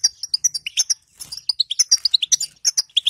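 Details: Female goldfinch 'bitbita' calling to prompt a silent male: a steady series of crisp, high chirps, evenly spaced, with a short pause near the first second.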